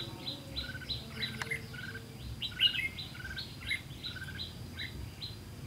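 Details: Red-whiskered bulbul song during a bird-trapping session on 18 September 2016, where a decoy calls wild bulbuls; short sweet chirped notes in a quick regular series, one sharper peak midway, over faint insect-like buzz and low rumble.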